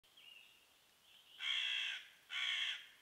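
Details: Angry crows mobbing a female pine marten in their patch, breaking off twigs and dropping them on her: after a faint thin tonal note, two harsh, loud caws follow in quick succession.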